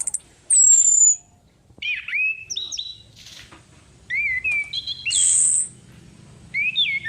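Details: Female orange-headed thrush voice used as a lure: a thin high whistle sliding down, then short gaps and clear whistled phrases stepping between mid and high notes, with a loud hissy high burst near the end.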